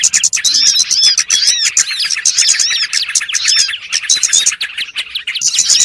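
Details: Lure sound for catching small birds: a busy, unbroken mass of shrill chirps, squeaky rising and falling notes, and quick twitters from many birds.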